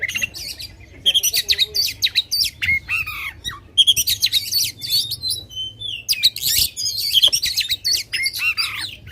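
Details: Loud Oriental magpie-robin singing to stir up the emotions of contest birds, pouring out quick sharp whistles, squeaky chirps and scratchy trills in irregular bursts, separated by short silences.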